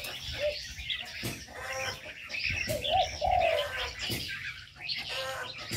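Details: Birds in an aviary: soft cooing phrases, one rising and drawn out, repeated roughly twice a second amid a chatter of thin high chirps and sharp bursts of flapping wings.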